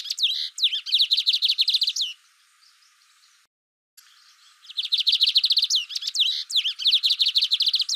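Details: Lined seedeater singing in two bursts separated by a short pause: rapid trills of sharp, high repeated notes mixed with upward-swept whistles, the pattern resuming just as fast after the gap.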